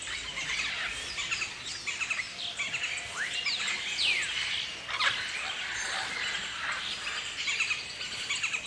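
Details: A large, noisy flock of Galahs (Eolophus roseicapilla) in Australia chatters with shrill overlapping screeches. A few sharp downslurred squeals stand out over a steady high hiss of background calls.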